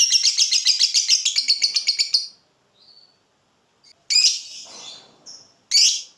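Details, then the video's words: Lovebird fighter tutor recording: a fast shrill ngekek trill lasting about two seconds, followed by a pause, a faint chirp and two loud harsh squawks. "LOVEBIRD NGEKEK DURASI PANJANG, BISA UNTUK MASTERAN JUGA"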